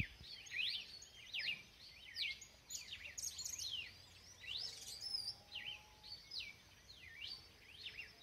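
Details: Red-cowled cardinal singing a busy run of clear, slurred whistles that swoop up and down, notes tumbling closely one after another with brief pauses, over a faint steady hiss and a thin low tone midway.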